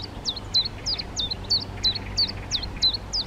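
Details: Calls from black redstarts (Phoenicurus ochruros), a darker male and a lighter female feeding young that have left the nest: sharp, high notes sweeping downward, repeated about three times a second, over a low steady background hum.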